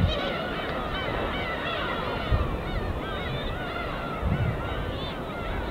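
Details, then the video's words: Flock of gulls wheeling together over the winter sea of Korea's East Sea, many overlapping mewing, slightly wavering cries rising and falling continuously, with a low rumble of gentle waves underneath. "갈매기와 잔잔한 파도소리"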